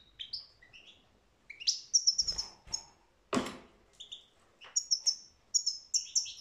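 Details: Goldfinch song, European, 2022: varied twittering phrases of high clear chirps and short trills, broken by one sharp click, then resuming in rapid tinkling notes.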